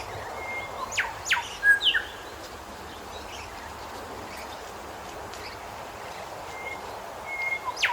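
Grey shrike-thrush giving short, clear whistled notes and quick sweeping phrases, a burst near the start and another at the end, over steady hissing background noise.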